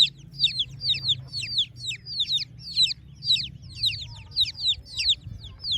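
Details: Chicks chirping on a village morning: dense, high, downward-sliding peeps repeated rapidly and steadily throughout, several birds overlapping, with a faint low rumble behind.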